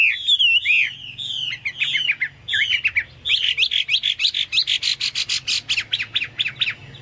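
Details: Chinese hwamei, likened to cucak Papua or cucak mas, sings rich looping whistled phrases that break into a fast train of short, sharp repeated notes in the second half.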